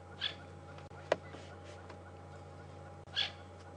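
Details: Upset francolins giving alarm calls during an afternoon safari drive at Djuma Game Reserve on April 20, 2015, possibly reacting to a snake or slender mongoose; short harsh bursts a few seconds apart over steady low hum, with one sharp click.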